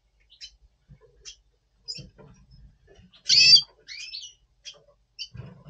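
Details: Red siskin, double pastel mutation, before breeding in November 2023: soft scattered chips, then one loud harsh twanging call followed by a brief buzzy flourish, with faint low knocks.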